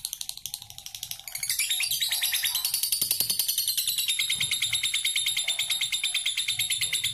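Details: Lovebird indoors giving a 'ngekek' trilling song. After a quieter start, a long, fast, unbroken high-pitched trill of rapid pulsing notes runs for about six seconds, steady in loudness, in a small room.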